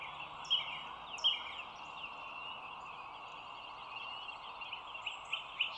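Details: Bald eagle at the Dulles Greenway nest, with a camera looking down, on the morning of 25 March 2022; a few sharp, high, squeaky notes near the start and more near the end, over constant background rumble.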